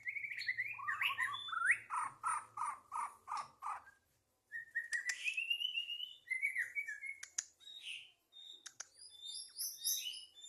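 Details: Captive-competition white-rumped shama song recorded 2023: a clear whistle, then a rapid run of repeated downslurred notes, a pause, and varied whistles rising to very high sweet chirps.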